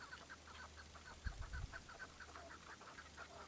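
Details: Tethered partridge used as a hunting decoy, giving a steady run of short, dry chuk notes, about five per second, with one brief low thump midway.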